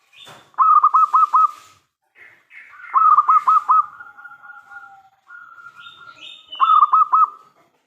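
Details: Local zebra dove with a big, crystal-clear voice, singing to lure other doves into answering: three bursts of rapid, rolling coo notes, each four to five pulses, with soft drawn-out tones between bursts and a higher note at times.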